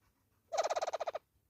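A hornbill gives a quick series of about ten harsh, nasal clucks at a steady rapid pace, all on one low pitch, with faint background hum.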